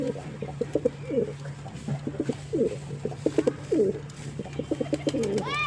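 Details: Pigeon cooing in rapid throbbing pulses, low and burbling, grouped in short phrases across the clip. A brief rising squeak from another bird comes near the end, over a constant low hum.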